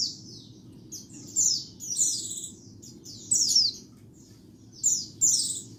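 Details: White-eye calls used for bird luring: high, buzzy down-slurred chips given singly or in pairs every second or so, over a soft low background rumble.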